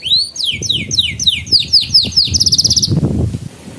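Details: Master song of a canary for young birds learning and for coaxing silent canaries: a quick run of descending slurred whistles, about four a second, then a bright rapid trill, with a soft low rumble beneath.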